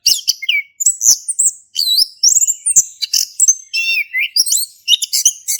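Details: Active male orange-headed thrush, Indonesian 'ngeplong' singing used as a prompt for non-singing thrushes; continuous burst of high, varied chirps, trills and twisting whistled notes with almost no pauses.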